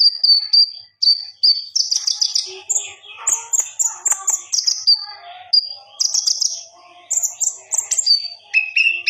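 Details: Common iora singing in full as a master recording, a varied run of high whistles, trills and chattering notes delivered continuously with short pauses; faint lower chirps underneath.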